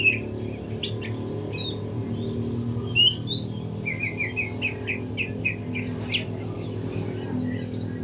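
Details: Morning practice song of a spotted juvenile white-rumped shama: sharp chirps and clear whistles, then a repeated series of short rising notes around the middle, all over a constant low droning hum.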